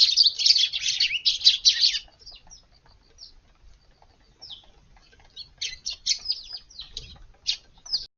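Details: Eurasian tree sparrows visit a garden for morning feeding on a hot August 19, having arrived at dawn and waited on a neighbouring roof; two seconds of dense, overlapping high chirps, then scattered short chirps and pauses.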